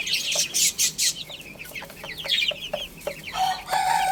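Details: Little chicks playing and eating peep constantly, with thin, high, down-slurred chirps tumbling over each other. Loud scratchy bursts come at the start, and a rasping, buzzier call comes at the end.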